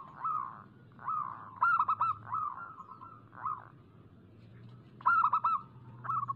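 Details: Local zebra dove, played as a lure to set doves singing. Several rounded, bouncing cooing phrases at a steady mid pitch, with louder, sharper staccato bursts near the middle and end, over a low background hum.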